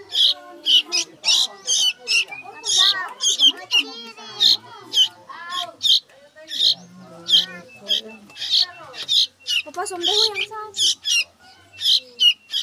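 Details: Hungry sooty-headed bulbul chick begging with loud, shrill, high squeaky bursts repeated in quick clusters, while a person talks softly throughout.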